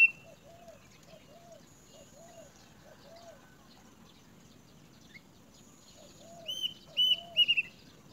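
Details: Great myna at its nest: a run of soft, arched, mid-pitched notes repeated about twice a second, then loud, sharp, high chirps and squeaks bunched near the end over faint background hum.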